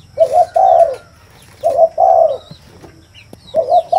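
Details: Loud, close spotted dove coos in a paired rhythm, a short note then a sustained falling one, recurring every one and a half seconds, with faint high bird calls behind.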